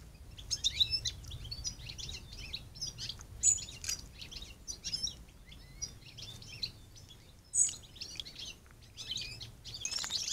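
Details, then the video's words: European robin singing outdoors, a varied stream of thin high warbles, trills and sharp twittery notes in short bursts with brief pauses, over low rumbling background noise. "κοκκινολαίμης Robin"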